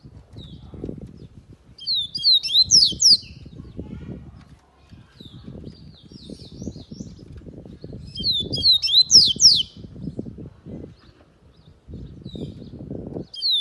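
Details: Coleiro baiano, the yellow-bellied seedeater, gives two short bursts of high, quick, swooping whistled notes several seconds apart, with continuous low thumping and rustling noise throughout.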